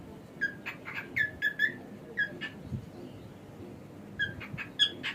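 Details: Male pet cockatiel whistling clear, ringing notes in short groups of two to four, separated by pauses, ending with a sharper higher note; faint low indoor background.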